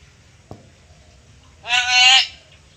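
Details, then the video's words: Pet black-capped lory, a clever talking bird, mimicking a human word: one loud, hoarse, nasal syllable lasting about half a second after a soft click, against a quiet background. "Burung Nuri Pintar Manggil²"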